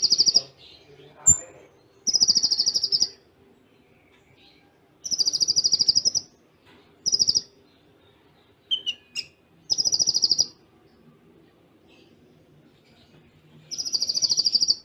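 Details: Kolibri ninja singing full tembakan cililin with close gaps, a training song. Rapid, high, shimmering trills about a second long repeat every three to four seconds, with a few short chirps and a faint steady hum underneath.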